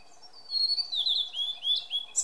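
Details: A blue-and-white flycatcher sings in Maruhi Nature Park on 26 April 2014: a high, clear whistled phrase that slides gently downward through a few slurred notes and ends in a brief rough note.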